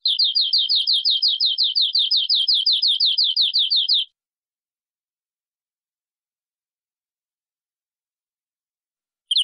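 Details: Local canary, said to come from the forest, singing full-filler song in cengkok style: a four-second trill of fast, repeated downslurred high notes, then a long silence before a note begins at the very end.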